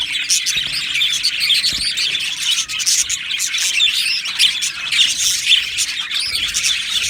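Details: Budgerigar colony in an aviary, recorded 12 July 2025: dense, overlapping high chirps and squawky twitters from many birds, continuous throughout with brief louder bursts.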